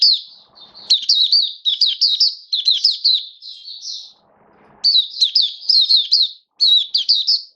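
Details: Oriental white-eye hobby bird, recorded in build-up form on 19 September 2022, pouring out bright, high twittered phrases of fast up-and-down whistles in two bursts split by a quiet gap.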